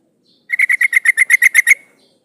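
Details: A female yellow-vented bulbul calls to a male, a lure to make males sing: a loud, clear run of about eleven harsh, evenly paced chatter notes.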